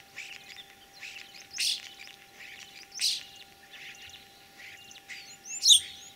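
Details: Spring song of a common starling in Kalyazin district, Tver region, Russia, on 9 April 2023, a mimic of other birds: jumbled high chattering, clicks and squeaky whistles in short bursts, ending with a sharp rising whistle, over a faint hum.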